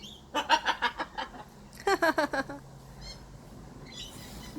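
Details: Pet blue-and-gold macaw playing makes rapid bursts of short, nasal, laugh-like squawks, about six then five in quick succession, followed by faint chirps and a low hum.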